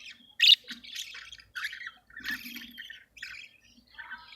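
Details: Budgerigars in a cage, mating and regurgitating food, producing soft warbling chatter and one loud sharp chirp early on, followed by quieter scratchy murmurs and low rustling.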